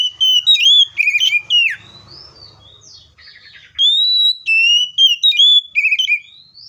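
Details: Seychelles magpie-robin song, dense and loud, with fast whistled and warbled phrases, a brief harsh burst, then steady repeated clear whistles.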